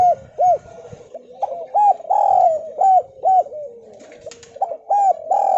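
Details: Javan spotted dove cooing as a lure to make other doves call; scattered arched coos with a long drawn coo in the middle, overlapping softer cooing and a final long note.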